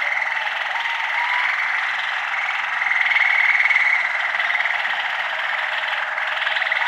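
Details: Waterslager canary song: an unbroken, low, bubbling, rolling trill held near one pitch, swelling slightly louder in the middle, with a faint background hiss.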